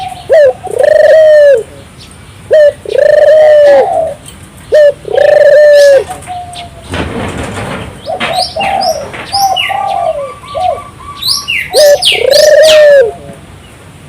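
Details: Repeated turtle dove (burung puter) song, played to prompt local doves to join in. A short rising note leads into a long throbbing coo, repeated every two seconds or so. Other birds chirp and there is a burst of rushing noise midway.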